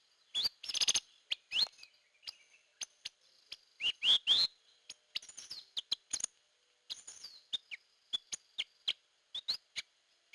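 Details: Hair-crested drongo, known locally as gentolang or srigunting kantil, in a lure-call recording: sharp high chirps and rising whistled notes in quick, irregular bursts, with a few louder buzzy clusters near the start.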